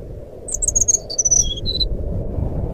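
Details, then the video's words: Fluting phrase of a jungle flycatcher, a lure for a bird that has fallen silent: a rapid string of high whistled notes, the last ones longer and lower, over low background hiss. "suara burung sikatan rimba nyuling pancingan SRDC macet bunyi"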